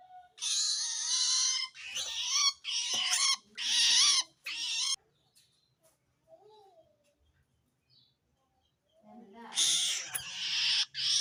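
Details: Long-tailed shrike calling out to wild shrikes, its voice said to show it feels threatened by rival shrikes; five grating screeches in quick succession, a quiet gap with faint soft sounds, then two more rasping bursts.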